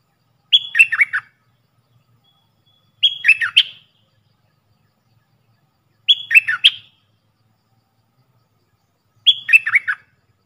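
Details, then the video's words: Repeated decoy call of a Puff-throated bulbul, played to train fledglings and hand-fed young: four identical phrases about three seconds apart, each a high whistle followed by descending slurred notes, with a faint low hum underneath. "เสียงต่อนกดอกแตงEp.114เสียงสำหรับหัดลูกเสอ/ลูกป้อน!!Birds sounds"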